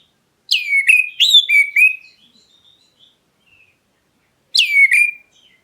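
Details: Oriental magpie-robin of the black-breasted form calling to stir other birds into answering. A burst of four swooping whistles is followed by a soft trailing phrase, a pause of about two and a half seconds, then one repeated downslurred whistle.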